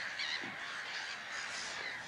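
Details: A busy chorus of black-headed gulls, harsh grating cries overlapping, over steady wind noise, heard from a hide at Frampton Marsh on a breezy spring morning of sun and cloud around 8:45, 23 April 2017.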